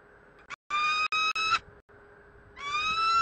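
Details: Peregrine falcon at Bielany: loud, harsh, drawn-out wailing calls rich in harmonics, three long notes in quick succession with the last one rising, over a steady low background hum.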